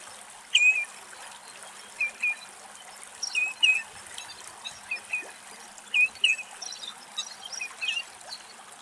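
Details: Common redshank singing in Greek nature, answered melodically by a second unseen redshank. Clear whistled double notes, each slurring downward, repeated roughly every one to one and a half seconds over a steady hissing, water-like background.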